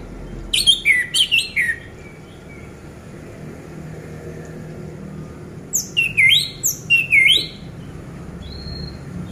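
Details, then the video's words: Orange-headed thrush, a home-kept bird, used to coax silent birds into song: two clusters of loud, bright whistled phrases with falling slurs and sharp high notes, separated by several quiet seconds; faint high whistle near the end. "Pancingan Anis Merah Macet Biar Bunyi Gacor dan Teler Lagi"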